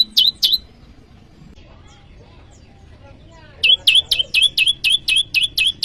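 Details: Prenjak lumut, or bar-winged prinia, calling to rivals as lure and cage-bird training sound: two quick chirps, about three seconds of near silence, then a brisk series of ringing chirps.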